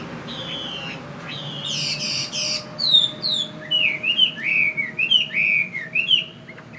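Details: Fighting Chinese hwamei from the northwest sings a long slurred whistle, a burst of harsh rasping notes, then a lively series of arched, repeated whistled phrases over a faint constant hum.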